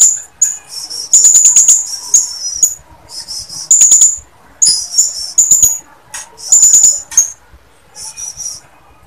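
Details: Shrill, high-pitched chattering bursts from a female blue-crowned hanging parrot calling males. Short trilled phrases of under a second alternate with quieter gaps and faint ticking notes.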